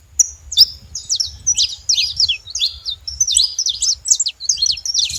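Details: Saffron finch at a feeder making a lot of noise, a brisk stream of thin, high chirps and rapid downward-swept notes, packed closely together for several seconds, with low background hum beneath.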